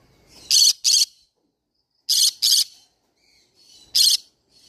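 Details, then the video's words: Paired harsh screeches from a green-cheeked conure parrot, repeated twice, then a single shriek, with near silence between bursts. "green cheek conure parrot sound"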